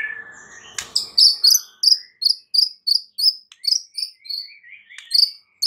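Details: Lure song of a white-rumped shama for stirring a stressed bird into loud singing: short, very high, bright chirped notes repeated roughly three times a second after a lower opening trill.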